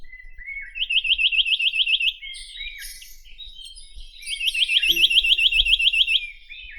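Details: Chinese nuthatch (Sitta villosa) singing two fast, even trills of about a dozen high, rising-falling notes each, separated by a pause with scattered chirps from other birds.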